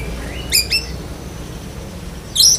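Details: Brief phrase from a black-breasted Oriental magpie-robin in besetan kapas song copying a lovebird: two quick sharp high-pitched chirps, a thin sustained whistle, then a loud shrill squeaky burst at the end.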